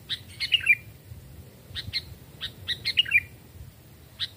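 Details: Sooty-headed bulbul, caged and two or three years old, raised from a chick, calling in a forest: clusters of quick chirps and bubbly slurred notes, two fuller phrases among scattered single chirps.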